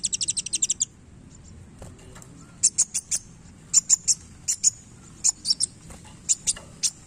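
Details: Tail-flicking kolibri wulung sunbird opens with a quick rattling series of high notes, falls quiet, then resumes with sharp, evenly spaced chirps in small groups.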